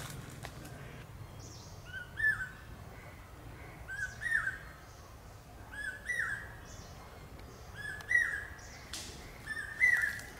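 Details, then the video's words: More distant common hawk-cuckoo calling pi-peeah, five fainter whistled two-part phrases spaced about two seconds apart, over low background hum and occasional clicks. "Common Hawk-Cuckoo calling...pi-peeah...pi-peeah...pi-peeah... (പേക്കുയിൽ കിഴക്കേ വാ....)"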